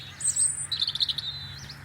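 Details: European robin sitting in a tree in a garden in January, singing to declare its territory: thin, high warbled phrases, a sweet drawn-out note followed by quick trilling, liquid notes fading away, with faint low rumbling underneath.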